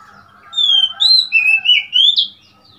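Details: Oriental magpie-robin, 3 March 2021, delivering a single loud phrase of about five clear whistled notes that dip and rise in pitch, over a soft low hum.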